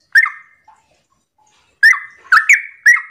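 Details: Sooty-headed bulbul singing 'ropel' in the morning as a lure to make other bulbuls reply. One sharp bubbly phrase, over a second of near silence, then four more crisp chirping phrases with a click among them.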